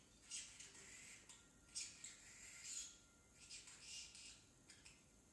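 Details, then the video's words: Baby male parrotlet kept as a pet, just starting to talk and often saying "tickle tickle"; quiet, scratchy high chatter in short bursts with brief pauses, several squeaky peaks over about five seconds. "Parrotlet talking"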